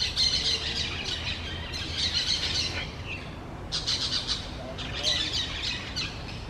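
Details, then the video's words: A parrot pair among the large trees of a low forest, trading irregular bouts of rough, scratchy chatter separated by short quiet gaps. "couple of parrots sing between the large trees of the low forest"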